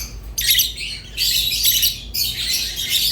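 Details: Budgerigar chatter in three loud, harsh bursts separated by brief quiet pauses, rough and buzzy throughout, with a low hum behind.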